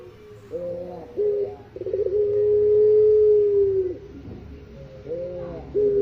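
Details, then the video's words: Eurasian collared dove, locally called pelung puter, in a masteran recording for songbird training: two clipped rolling notes, then a long level hooting coo that fades downward, with the short notes starting again afterwards. "Burung pelung puter suara masteran"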